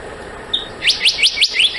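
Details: A single high whistle from a black-naped monarch, then a quick run of five bright, upswept notes climbing in pitch, each clipped and evenly spaced.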